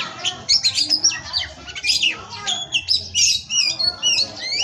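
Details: Oriental magpie-robin (kacer) song for masteran training, from a breeding aviary: dense, varied run of high whistles, sweeps and harsh squawky notes, rapid and continuous.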